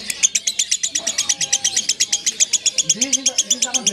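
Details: Lovebird in long ngekek song, a shrill rapid chatter of about six evenly spaced pulses each second throughout, with low human voices audible underneath.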